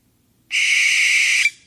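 An owl gives a single harsh, hissing screech lasting about a second, steady and high-pitched, ending with a brief sharper flick; nothing else is heard.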